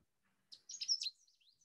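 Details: Canada Warbler song, a steeply declining species losing South American wintering habitat and breeding in US mountains: a quick high chip, then a fast jumbled half-second burst of sharp high twittering notes, trailing into faint chips; a White-throated Sparrow sang in the background.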